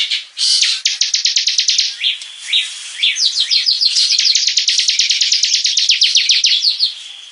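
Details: A bar-winged prinia kept as a hobby songbird opens with a few thin, wavering whistles, then breaks into a long, rapid trill of sharp, repeated high chips that speeds up toward the end.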